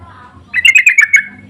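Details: Sooty-headed bulbul lure calls answering each other: a short burst of about six bright, bubbly chirped notes in quick succession, over a low background hum.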